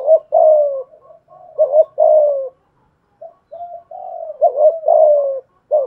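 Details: Spotted doves challenging each other: a decoy with a 'thổ pha thúc' voice and a wild dove. Low coos run in overlapping phrases, some softer and quieter, in near-continuous bouts with one brief gap.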